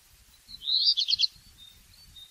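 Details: Black redstart song: one short, high, scratchy phrase of tumbling notes ending in a few quick chirps, over low thumping background noise.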